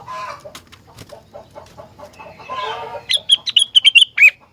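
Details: Rengganis in full song, said to prompt other rengganis to answer: a low, mumbled chattering run gives way to a loud, fast series of sharp, high piping notes at the end.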